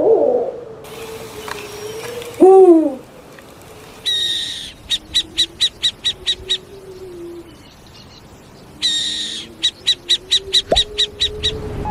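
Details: Owl calling: raspy hissing screeches, each followed by a fast regular series of short high piping notes, repeated twice, with a low steady hum underneath.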